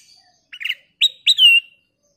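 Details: A golden bulbul in full song, played to draw other birds into singing: a soft fluttering note, then two bright whistles, the last drawn out and slowly falling, quiet between phrases.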